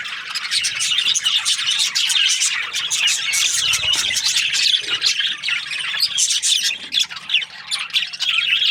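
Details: Budgies chirping in the morning, their high twittering and warbling steady at first and then breaking into choppier, rising and falling bursts toward the end.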